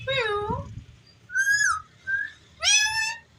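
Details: Talking ringneck parrot kept indoors: a falling whistled note, then a short level whistle, a softer note and a loud rising call rich in overtones, spaced about half a second apart.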